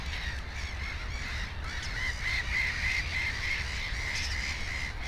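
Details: Black-headed gull at its nest with two chicks, 15 May 2016, giving harsh, grating calls, several per second in an uneven run, over a steady low rumble of wind.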